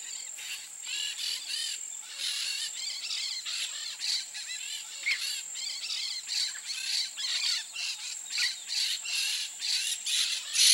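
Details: A free-living pair of peach-fronted parakeets (Eupsittula aurea) chatter with dense, harsh, scratchy notes in rapid bursts, over a steady high insect buzz.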